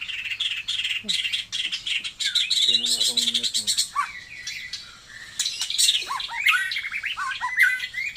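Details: Taiwan-type white-rumped shama in dense, harsh chattering song mixed with descending whistled slurs; a lower repeated nasal sound briefly underneath midway.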